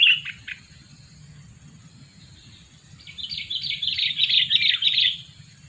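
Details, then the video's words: Sooty-headed bulbul lure bird, two years old, opens with a few clipped notes, then after a pause bursts into a rapid, busy chatter of jumbled chirps lasting about two seconds; low hum throughout. "Pikat burung kutilang , burung kutilang pikat umur 2 tahun"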